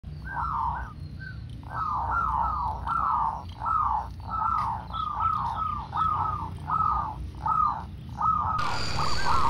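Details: Wild local zebra dove singing, used as a lure to get other doves singing: short hooked cooing notes in quick bursts, repeated in phrases about every 0.7 seconds. A low rumbling background runs throughout.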